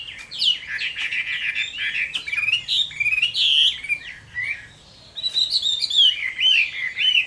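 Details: Chinese hwamei fighting song on a summer midday: dense, vigorous warbling of bright whistled and slurred phrases, a brief pause, then another burst of loud, wavering whistles.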